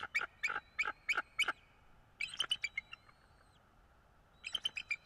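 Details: Bald eagle calling at a North East Florida nest, recorded by a nest camera on a February 2022 morning; five sharp, evenly spaced piping notes, then two bursts of rapid high-pitched chittering after a brief gap.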